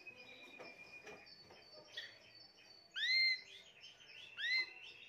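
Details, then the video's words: Timbrado canary from a keeper's 2020 birds singing quiet trilled phrases, then two loud rising, curving whistled notes about one and a half seconds apart. "تغريد طائر التيمبرادو"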